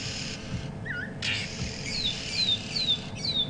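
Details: Oxpeckers with three buffalo bulls at sunrise on 25 July 2015 give harsh, thin shrieks that slide downward, repeated about every half second, over a low rumbling background and one brief whistled note.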